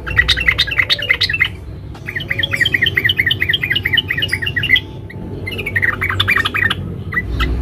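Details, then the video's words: Dense twittering from a female sooty-headed bulbul calling a male: near-continuous strings of fast, bright chirps broken by brief pauses. "Suara Trucuk BETINA Memanggil Jantan NGERIWIK RAPAT"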